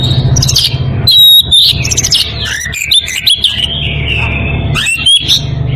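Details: Oriental magpie-robin in breeding condition calling to a rival: ringing whistles, quick chattering bursts and a long smooth warbled phrase, with low background hum.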